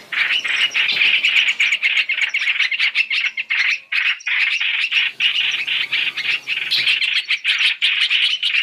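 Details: {'caption': 'Three-in-one trapping lure of black-throated laughingthrush. A continuous stream of bright, high chirps and chatters runs throughout, pausing only briefly near the middle before resuming just as densely.'}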